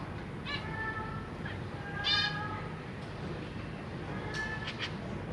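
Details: Captive zebra finches on 23 June 2023, a pair with three juveniles and three newly hatched young being fed in a large cage. Three spaced nasal, harmonic calls, the middle one loudest, over steady low background hum.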